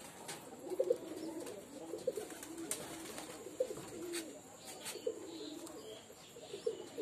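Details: Pet pigeons kept as a hobby, cooing steadily in low, throaty, rolling notes repeated about every second and a half, accompanied by sharp clicks and light rustling in a quiet space.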